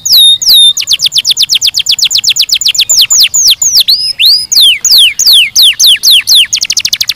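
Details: Canary singing loudly: a fast stream of bright, sweeping whistled notes, first a rapid even series, then looping rising and falling slurs, roughly four notes a second.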